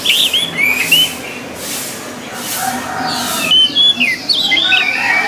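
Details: Training recording of an orange-headed thrush: loud, short whistled phrases at the start, a softer middle, then a renewed run of sweet slurred notes and quick trills.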